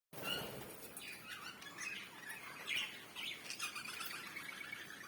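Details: African lovebirds, described as a South African bird, giving rough squawks and bright chirps in a busy mixed chorus, with notes overlapping and shifting irregularly throughout.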